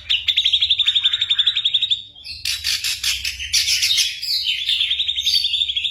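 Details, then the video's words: Ashy drongo mimicking bird calls and gunshots in its song, a tutor for caged white-rumped shamas. A fast even trill of about twenty notes, then loud harsh noisy bursts and a returning quick trill. "burung masteran srigunting abuabu / saeran_abu"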